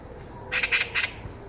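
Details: Eurasian magpie heard by chance on a walk in Korea, calling loudly enough to ring around: a quick burst of three harsh, rasping notes against quiet background.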